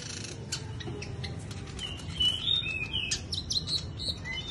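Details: Bush lark singing during a wing-fluttering display: short high chirps and clear whistled notes, some sliding, mixed with sharp rapid clicks, over a steady low rumble of background noise.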